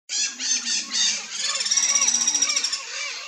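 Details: Guira cuckoo, known in Brazil as anu-branco, giving a warning to careless companions: loud harsh squawking notes that run into a fast, shrill, rattling trill.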